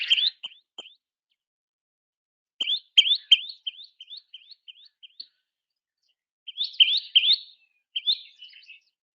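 A Common Tailorbird gives loud, sharp, high chirped notes in quick repeated bursts, a few per second, separated by short pauses.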